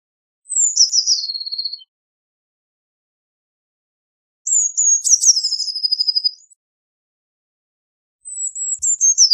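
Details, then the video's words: Song of the Eurasian blue tit: high piping introductory notes followed by a rapid, slightly descending trill, repeated in three phrases separated by silent gaps. "Blue Tit Singing! Blue Tit Calling! Blue Tit Sound! - Herrerillo Común Canto - Cyanistes Caeruleus"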